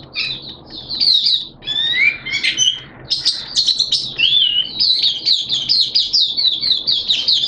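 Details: Oriental white-eye kept as a hobby bird, singing in wet, changeable weather in September 2022: varied high whistles and slurs, then a quick series of sharp repeated twitters toward the end.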